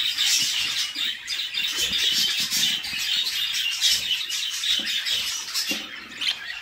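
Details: In a nest box a female budgerigar feeds her babies, who keep up an insistent, buzzy, high-pitched chirping chorus, pulsing quickly with faint low thumps beneath.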